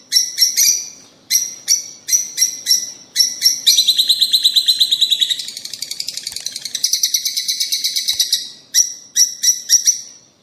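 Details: Lovebirds calling, played to encourage lovebirds to mate and breed: loud high-pitched chirps in rapid bursts of three or four, with longer buzzy chattering trills in between, clean background.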